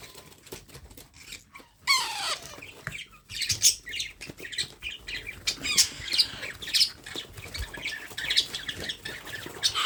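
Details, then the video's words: A baby parrot during hand-feeding squawks harshly after a quiet start, then keeps up a dense, continuous run of high, scratchy chirps and buzzy notes. "How to Feed Baby Parrot"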